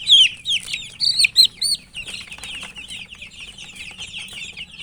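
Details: Chicken chicks while eating: several loud, shrill, falling peeps at the start, then a softer, steady chorus of many chicks chirping with light clicking sounds.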